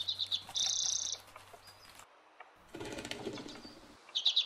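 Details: Redpoll by the river Svartån, Västerås, Sweden, giving quick, dry, buzzy, high-pitched rattling chatter in short bursts, with a rustle like fluttering wings midway and a faint low hum; Redpoll.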